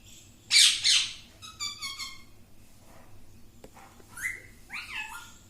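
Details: Parrot repeating "mittu mittu": two loud, harsh syllables, then a string of short harmonic notes and sharply rising whistled slides, over a quiet low background hum.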